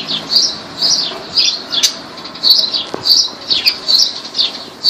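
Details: Loud, high squeaky chirps from lovebirds in Laylan, Kirkuk, repeated in quick rhythmic bursts, roughly two or three each second.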